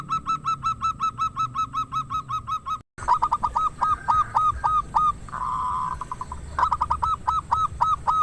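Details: Zebra dove of local Indonesian stock with a big voice, calling to rouse rivals into song: long runs of rapid, evenly spaced hooked coos, a brief cut, then more rattling series with a faint high whine behind.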